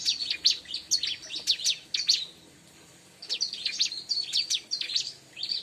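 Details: Bar-winged prinia song used as a lure for the same species: fast strings of high, bright chip notes in two phrases split by a one-second silence, each note sharp and evenly spaced, with a quiet background.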